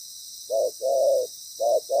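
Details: Moulting spotted dove decoy with a loud, good voice, calling on the ground during trapping. It gives a short coo followed by a longer, drawn-out coo, then another pair begins. Constant background hiss.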